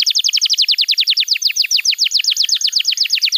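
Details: Canary singing a steady, rapid series of bright down-slurred notes, about ten per second, clear and loud throughout; the song is used as a model for young canaries.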